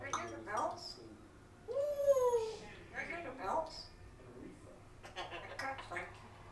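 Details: A 6-year-old pet African grey parrot talking indoors, with a second parrot in the background; speech-like chattering syllables around a loud rising-then-falling squeaky whistle.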